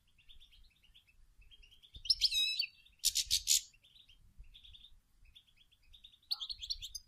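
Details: Female European goldfinch singing and calling to stimulate males to sing: soft scattered high twitters, then a loud trilled phrase and a series of buzzy rattling bursts near the middle, with quieter chirps and a final twittering flourish.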